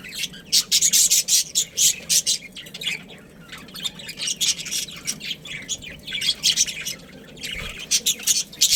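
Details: Pet budgerigars from a breeding pair keep up dense, scratchy, high chatter, with rapid squawky notes in quick uneven bursts and brief pauses, loud throughout.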